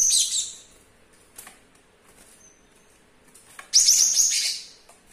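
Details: Young male Java sparrow in a kitchen cage, kept about two weeks, singing despite an injured foot missing a claw; a high ringing phrase fades out, a thin whistle follows, then another loud burst of rapid tinkling, bell-like notes.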